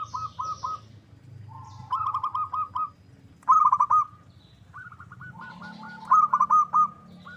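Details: Local zebra dove song used as a lure so rival birds answer. Overlapping cooing phrases of quick pulsed notes and trailing coos, some loud and some softer, suggesting more than one dove calling.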